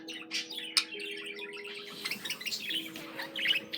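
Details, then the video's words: Pet budgerigar warbling indoors: a dense stream of quick, bright chirps and twittery notes with a few sharper clicks, over steady low sustained tones like soft background music. "Peaceful, relaxing budgie sounds for your bird"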